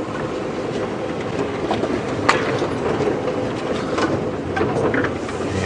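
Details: Steady vehicle rumble and rattling road noise fill the recording, with one sharp knock and no animal voices.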